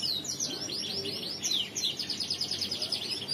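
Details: Male crested canary in Riwikan song style, delivering a bright, high rapid trill of repeated chirping notes, several per second, sliding up and down, then pulsing more evenly toward the end.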